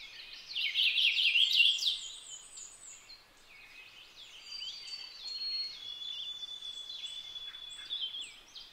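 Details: Purple finch song: a loud burst of tumbling warbled notes in the first two seconds, followed by softer thin whistles and twittering for the rest.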